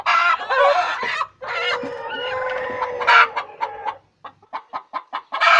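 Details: Chicken cackling while laying an egg: long harsh rasping squawks over the first four seconds, then a quick run of short clucks ending in another loud squawk.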